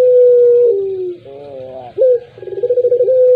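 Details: Collared dove, puter pelung type, holding a long, steady coo that sinks into a lower wavering note. A sharp rising hiccup follows, then a bubbling run of quick coos that settles back into a held tone. A low background hum continues.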